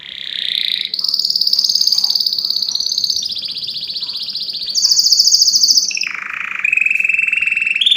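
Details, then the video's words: Canary song with fast trills changing pitch every second or two: a bright high rolling phrase, then a drop to a lower buzzy tour, with faint background noise. "أقوى تغريد كناري"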